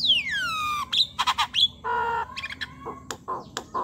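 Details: Javan myna song for provoking reluctant mynas into singing: a long falling whistle, sharp clicks, a buzzy harsh rasp, then scattered chattering notes.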